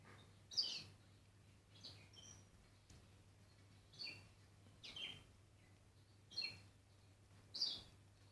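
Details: Bourke's parrot, a mother feeding her chick, with thin high chirps coming in short bursts about once a second, separated by quiet pauses over a low steady hum.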